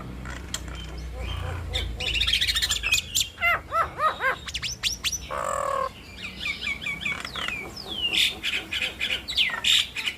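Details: Duetting Nias hill mynas meant to set other mynas calling: a mix of clicks, harsh rasping bursts, rising and falling whistled notes, and looping whistles.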